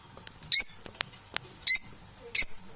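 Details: Domestic parrots, described as unbalanced, indoors: three harsh, buzzy squawks spaced about a second apart, each short and high, with faint clicks and taps between them.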